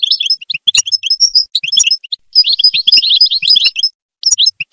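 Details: European goldfinch song used to motivate other goldfinches: rapid bright twittering of short chirps and trills, bursts of dense tinkling notes broken by brief pauses, with sharp clicks among them.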